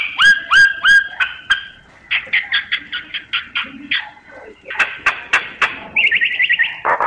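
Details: Myna singing: a run of clear harmonic notes with hooked, rising whistles, then quick buzzy bursts and a rapid series of chattering notes near the end.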